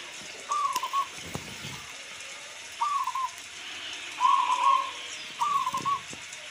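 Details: Local zebra dove heard over a constant rain hiss: four short, mid-pitched cooing phrases spaced one to two seconds apart, the third one the loudest.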